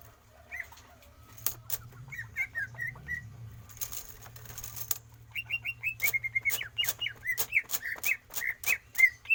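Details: Greater green leafbird kept in a cage, trained for stamina without free-flight exercise: scattered whistled notes, then a long fast run of repeated slurred whistles with sharp clicking sounds, over a low steady hum.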